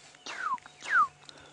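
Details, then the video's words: Black-headed Orioles calling all around in the African bush during an afternoon safari drive on 31 July 2016: two clear, liquid downslurred whistles, each sliding high to low, about half a second apart, over a quiet background. "and all around us now you can hear the blackheaded Orioles"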